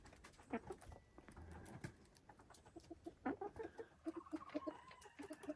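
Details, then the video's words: Silkie chickens kept on a Vermont hill homestead: after a quiet start with faint rustle, a run of short, soft clucks follows in quick succession through the second half. "Relaxing Silkie Chicken Sounds"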